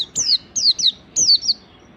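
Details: Oriental white-eye singing in the 'ngalas' style, used as a lure for other white-eyes: strong, clear whistles falling steeply in pitch, delivered in quick pairs.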